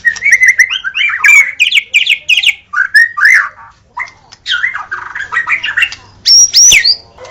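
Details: White-rumped shama, a captive songbird, in energetic song: quick phrases of bouncing whistles, a short break, then more notes ending in loud high whistles.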